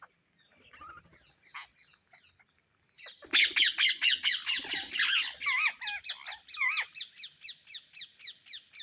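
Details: Indian ringneck parrots searching for seeds: scattered faint calls, then a loud burst of harsh squawks settling into a rapid regular series of sharp screeching notes, about two per second, fading slightly toward the end.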